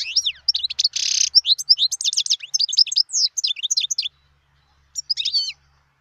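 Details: Dense tinkling song of a wild European goldfinch: fast chirps and slurred notes with one harsh buzzy burst early on, then a brief final phrase after a pause.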